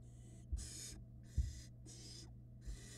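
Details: Barn owl nestlings in a Florida nest box while the female brings a rat: four long, noisy hissing screeches spaced about every 0.7 seconds, with occasional dull thuds and a steady low hum beneath.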